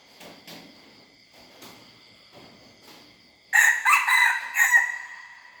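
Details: Red junglefowl hybrid youngster practising its crow, quiet scuffing for three seconds before a short, hoarse, multi-part crow bursts out, over a constant high-pitched background drone.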